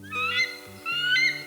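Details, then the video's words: Bald eagle call, contrasted with the red-tailed hawk screech media often use: two thin, high chittering notes, each a quick wavering squeal rather than a screech, with a low-energy feel over a steady low musical drone. "This is what an eagle actually sounds like."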